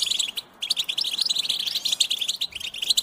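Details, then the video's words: Goldfinch singing to spur other goldfinches into song: dense, fast twittering of short high chirps and trills, almost unbroken apart from a brief pause near the start. "Cute birds chirping to stimulate the goldfinch"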